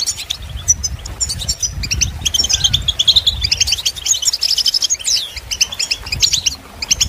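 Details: European goldfinch singing, for listening and training birds. Lively phrases mix quick chirps, tinkling trills and one rising whistled slur, and louder bursts stand out over faint low rumbling noise.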